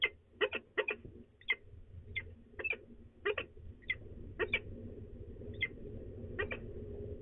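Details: Grumbling female peregrine falcon, De Mortel, Netherlands, 24 March 2020, morning, before she leaves; sparse rasping chup notes, several doubled early then single and fainter later, over a rising low background drone.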